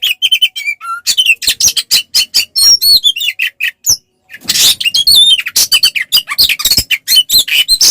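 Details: Fighting song of an oriental magpie-robin used to provoke other males: repeated whistled notes falling to a low whistle, busy chirping, a brief pause, then a loud burst of varied whistles and chatter.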